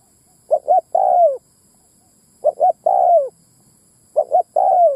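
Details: Spotted dove calling as a lure for wild males and females: a pair of brief coos followed by one long falling coo, repeated three times at about two-second intervals, no other sounds.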